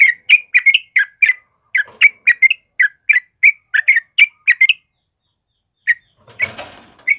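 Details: Yellow-vented bulbul delivering rapid, bubbly two-part whistles in a steady burst, followed by a pause, one more note and a short rustle near the end.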